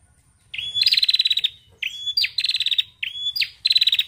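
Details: A female bar-winged prinia gives three high, quick phrases, each a thin whistled note followed by a rapid, dry ticking trill, repeated every second and a half; used as a lure call for prinias.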